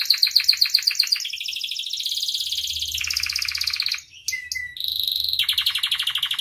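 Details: Canary in energetic full song, used as a tutor and lure: a fast sparkling trill sliding into long rolling tours at lower pitch, a brief pause with a whistled note, then another rapid rolling trill.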